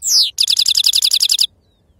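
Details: Goldfinch singing in the wild 'khalwi serfati' style: a loud descending buzzy note, then a rapid, evenly spaced series of about a dozen sharp high chips before silence.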